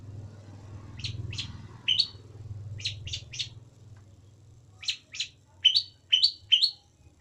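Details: Long-tailed shrike song of short, sharp chirps given singly and in quick pairs and triplets, some with a rising sweep, separated by pauses; low background rumble throughout.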